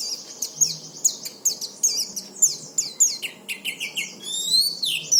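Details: Oriental white-eye singing to stimulate other white-eyes into song: a fast, high, twittering run of sharp downslurred notes, about 100 a minute, ending in a longer sliding whistle.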